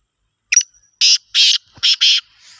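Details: Mastbolar black francolin from Khushab calling loudly: a clipped opening note, then four harsh, buzzy, grating notes in two pairs across about one second, with a faint rustle at the end.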